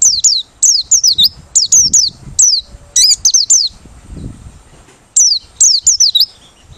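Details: Open-beaked singing of a Merapi 'ngalas' white-eye, described as suited for luring birds: rapid runs of piercing, downward-slurred whistles, nearly continuous for three seconds, a pause, then another quick burst.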